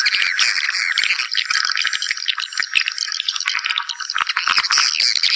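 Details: A crowd of swiftlets calling to gather others for nesting, heard as a dense, grating twitter of overlapping chirps with no pauses.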